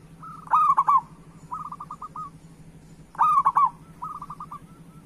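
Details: Vigorous local zebra dove song meant to coax lazy doves into singing. Two loud bubbling coo phrases about 2.6 seconds apart, each followed by a softer rolling trill, over a constant low hum.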